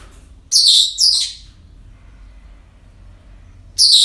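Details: Parrots at a breeding centre on an ordinary day give two loud grating squawks in quick succession, a pause of near silence, then another loud harsh squawk.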